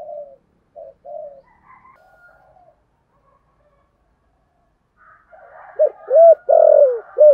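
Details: Decoy spotted dove giving thúc gù coos in a giọng thổ voice to attract doves: a few faint, short low hoots, a quiet gap, then loud arched hoots and a long croon near the end.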